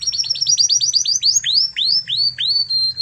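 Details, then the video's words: Spanish Timbrado canary from Spain, used as a master tutor for young canaries, singing a rapid series of short upslurred chips that slow into longer rising whistled swoops, ending on a held high note. "Masteran Kenari Spanish Timbrado Ori Spanyol"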